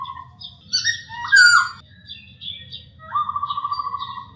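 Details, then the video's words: Masked laughingthrush singing clearly in a tutor recording for other birds: a quieter run of mixed whistles and slurs, one bright swooping note, ending in a long rapidly pulsed trill; faint low hum behind. "MASTERAN AMPUH; SUARA POKSAY HONGKONG JERNIH"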